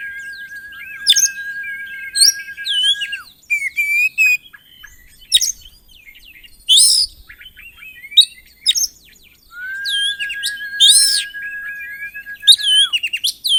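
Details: Oriental magpie-robin in energetic song with mimicry, played to trigger other magpie-robins: two long flat whistles of about three seconds each, broken up by crisp chirps, buzzy trills and bright upslurred notes.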